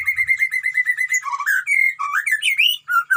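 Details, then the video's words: Lively white-rumped shama in a colony breeding cage: a fast even string of repeated mid-pitched notes, then swooping whistles, falling slurs and a rising phrase. "murai gacor di kandang koloni Suara aneh"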